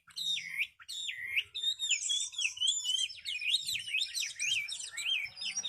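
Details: Caged hwamei known for strong contest singing gives short swooping whistles at first, then a fast, jumbled flow of looping notes climbing and falling in pitch.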